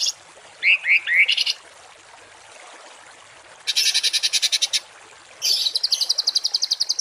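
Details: Masteran for training cage and contest birds with rough 'tembakan kasar' phrases: three rising whistles and a rattle, a pause, then two fast harsh buzzy rattling bursts.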